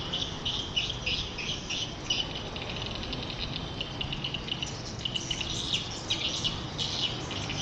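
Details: Edible-nest swiftlets, kept for nest farming, giving a continuous chorus of high, clicky chirps repeated rapidly over a steady low hum.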